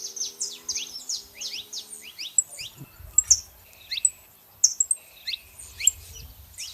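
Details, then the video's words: Male and female saffron finches calling together: scattered high, sharp downslurred chips in quick bursts, a few brighter piercing notes midway, with a faint low steady hum early on and soft low rumbles beneath. "canários da terra fazendo barulho fêmea e macho"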